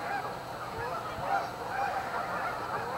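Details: Dense chorus of overlapping Canada goose honks from a flock at a staging area on Amber Trails Lake, Winnipeg, forming a continuous nasal clamour with no single bird standing out.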